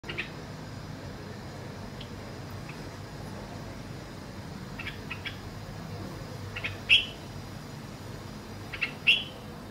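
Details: A bulbul on a home balcony gives two short, bright chirped notes about two seconds apart, with a few fainter chirps earlier and a steady low background hum.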